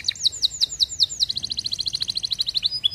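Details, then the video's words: Canary singing: several clear downward-slurred whistles, then a fast even trill of repeated notes about nine per second, ending with a short rising whistle. "estimulando o som de avisos de avisos rapidamente"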